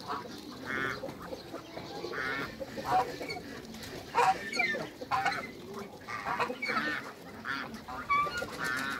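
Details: African gander and Toulouse goose, a new breeding pair in a backyard: repeated harsh, nasal honks rise and fall in loudness over nine seconds, several coming in quick clusters, with constant low farmyard noise beneath.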